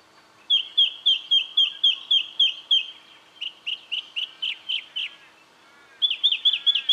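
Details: Brown treecreeper in Victoria, Australia, October 2011: three bursts of loud, high, clipped notes repeated about four times a second, the first burst of about ten notes, the second slightly slower, the last cut short.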